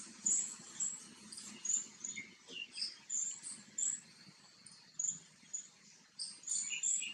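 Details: Green bee-eater, recorded close up during preening, with very high, sharp chirps in quick bursts roughly every half second to second, fairly even in loudness, above a faint low background murmur.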